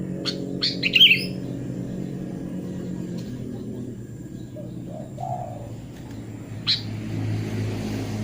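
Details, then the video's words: Sooty-headed bulbul song played as therapy to restart a bird that stopped singing: a quick burst of bright whistled and chirpy notes near the first second, one more sharp note later, over a steady low hum and soft low cooing. "KUTILANG GACOR SUARA ASLI ~ TERAPI KUTILANG MACET BUNYI"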